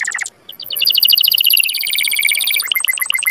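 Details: Canary mating song, also used to teach chicks to sing: a few brief notes, a short gap, then a high rapid trill, closing with slower chopped notes.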